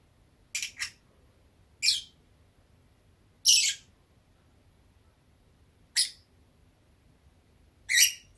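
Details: Drowsy pet peach-faced lovebird on a warm day makes five short harsh chirps and squawks, spaced about two seconds apart in an otherwise quiet room.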